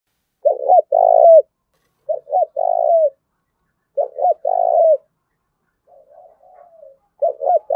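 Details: Decoy spotted dove cooing to goad rivals into fighting: low phrases of two quick stuttered notes and a long rolling coo, repeated about every two seconds, with a soft murmured note near the end.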